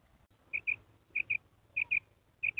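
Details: A female common quail at night gives four sharp, high double notes spaced roughly every 0.6 seconds, over a low steady hum.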